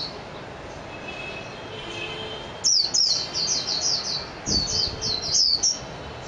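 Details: Japanese white-eye (mejiro) song: after a quiet start, a quick run of high, sweet twittering notes tumbling downward, then a second shorter burst with faint background noise.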